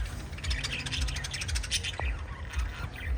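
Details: Five lovebirds give rapid, dense, squawky chirps that follow one another quickly in a busy, harsh chatter, with a low hum running underneath.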